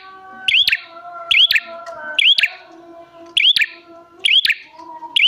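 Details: Bar-winged prinia as a calling lure for prinias: steady series of sharp, rising-then-falling chirps with clicky onsets, spaced about a second apart, soft humming tones beneath.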